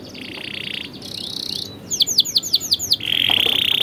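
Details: Atlantic canary song meant to train young canaries: soft buzzy trills, a run of about seven swooping whistled notes, then a loud level rolling tour.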